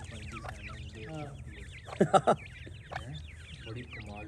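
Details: A brood of young francolins gives rapid, high, slurred peeps, many birds calling at once; a short burst of human voice breaks in near the middle, with a low background hum throughout.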